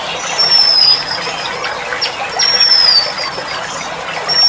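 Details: A kept female Oriental magpie-robin, recorded while her cage is covered, gives thin, high, slightly falling whistles, about one every two seconds, over a steady hiss like trickling water.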